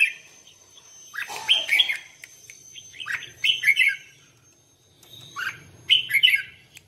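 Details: Red-whiskered bulbul singing competitively during voice training: clear bright whistled phrases in brief bursts of rapid notes, repeated about every two seconds, with a faint steady high tone and soft low rumble behind.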